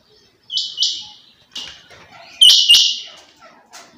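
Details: Female rain quail uttering a few scratchy, high double notes, softer at first then one louder pair, with faint rustling and quiet chirps between them.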